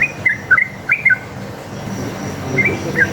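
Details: Sooty-headed bulbul in wild, fighting-style long continuous song used as a lure to make other bulbuls answer: short bubbly whistled notes in quick pairs and triplets, then a pause before a few more notes, over a steady low background hum.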